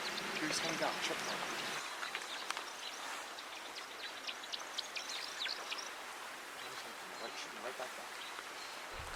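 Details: A male American woodcock in his breeding display flight after dark at Point Pelee National Park on 16 May 2023, trying to attract a female; his wings make high, thin twittering of rapid chirps, about four a second, with a voice and faint insects behind.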